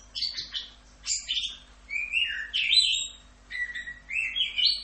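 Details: Orange-headed thrush delivering tutor song in 'full Rock'n Roll' style: rich whistled phrases, some rising and some falling, with a couple of short pauses and mellow lower slurs toward the end.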